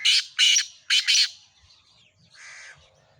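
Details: Harsh, buzzy calls of a black francolin: four loud grating notes in two pairs, then a fainter rasping note after a pause.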